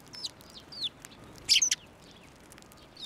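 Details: Several sparrows coming to a hand for food at a Tenmangu shrine, 11 March 2024: quick high chirps and thin downslurred notes, with a loud burst of three or four rapid chirps midway, other birds calling faintly.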